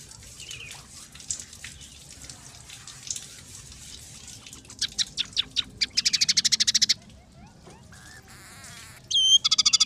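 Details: Scaly-breasted munia song with sparrow, red siskin and canary elements, opening with faint scattered chirps before spaced sharp notes build into a fast rattling trill, then buzzy warbles and a final bright trill.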